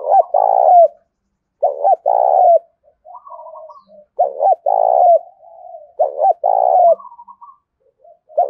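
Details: Loud repeated cooing from a spotted dove decoy in the Dong Nai countryside, Vietnam, used to lure wild birds: three phrases of a short doubled note followed by a drawn-out low coo, with quieter trilling notes in between.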